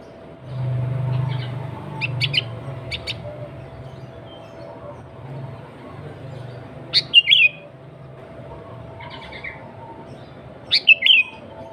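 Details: Sooty-headed bulbul (kutilang) song used as a lure for wild bulbuls: two sharp bubbling phrases about four seconds apart amid scattered softer chirps, with a low rumble early on.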